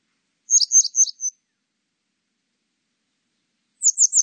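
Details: Short, thin, high-pitched calls of a Grey wagtail, 2020 recording: four spaced notes, then a second burst of three rapid notes cut off at the end.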